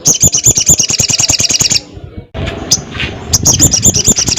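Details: A crested jay calls to a rival with a steady, fast, harsh rattle; a short break with soft background noise follows before the rattle starts up again.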